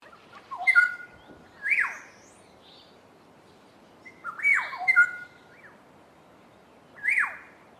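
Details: Two Black-headed Orioles duetting: liquid whistled phrases with a steady double note near the top, answered by a sharp downslurred, slightly harsh call, the exchange repeated twice over about eight seconds with quiet gaps between.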